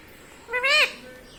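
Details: Indian ringneck parakeet kept as a talking pet utters one wailing, up-and-down harmonic note of about half a second, with little else audible.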